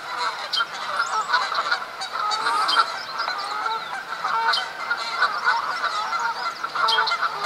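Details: Several Canada geese honking continuously during April mating-season fights for females at Duke Farms, New Jersey, 2015; dense, overlapping nasal honks with no pause.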